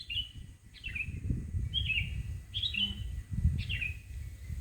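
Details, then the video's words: Morning birdsong outside a house front: five crisp, downward-slurred chirps spaced roughly a second apart over a steady low rumble of ambient noise. "Pagi-pagi sudah dihibur dengan kicauan burung didepan rumah"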